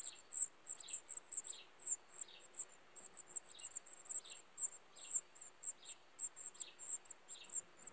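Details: Young of the Gibraltar black redstart race (Phoenicurus ochruros gibraltariensis), the brood calling with shrill, high-pitched ticking chirps in quick irregular bursts, plus repeated lower falling notes roughly every half second; quiet hiss beneath.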